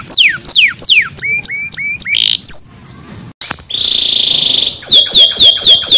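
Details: Canary song from a training recording meant to help canaries sing better: steep descending whistles, a run of short hooked notes, a buzzy held tone, then fast rolling trills of quick downslurred notes after a brief break.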